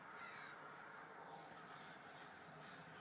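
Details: Crows swarming at a local mall: many rough, raspy caws blend into a constant clamour, with a few higher scratchy notes over steady background noise.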